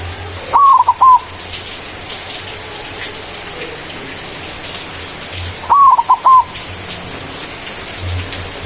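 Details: White zebra dove singing manggung, a loud song used as a lure to call a rival: two mellow cooing phrases about five seconds apart, each a fluted opening note followed by quick stuttered notes, over steady patter-like background noise.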